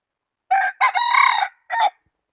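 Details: Rooster crowing, recorded 8 January 2020; one loud, clear cock-a-doodle-doo in four parts: two short opening notes, a long sustained middle note, then a brief drop, and a short final note, in otherwise silent surroundings.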